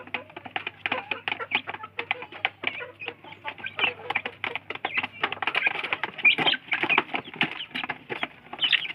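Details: Village chicken chicks (ayam kampung) jostling over food: a dense mix of high, short peeps and rapid dry pecking clicks, continuous throughout without pause.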